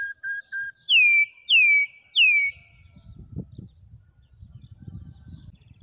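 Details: Wild campo troupial in Brazil: three short soft notes, then three loud, rich whistles sliding downward, about one every half second. A low rumbling noise follows.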